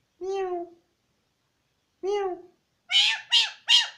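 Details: Mynah mimicking Pashto words: two separate low, voice-like drawn syllables about two seconds apart, followed by three rapid, loud, higher-pitched harmonic notes.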